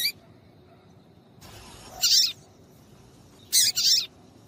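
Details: Female papa-capim seedeater calling, used to stir males to sing: high, harsh double chips repeated about every one and a half seconds, with a faint rustle before the first pair.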